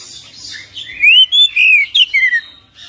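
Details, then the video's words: Oriental magpie-robin singing in the full isian, ngerol gacor style: a quick run of loud, clear whistled notes that slur down and then up, about six phrases in under two seconds, after a quiet start. "Kacer Full Isian ngerol gacor dorrr"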